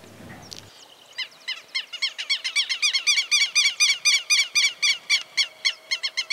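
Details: A Southern Lapwing in rural groves of Santa Fe, Argentina, 2023, gives loud, harsh, metallic alarm notes, repeated rapidly about four per second in an insistent, even series after a brief low rumble at the start.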